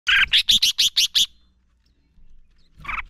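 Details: Male red-whiskered bulbul singing to stir other bulbuls into song for contest training: one fast phrase of about seven bright, slurred whistled notes, followed after a pause by a short burst of another phrase.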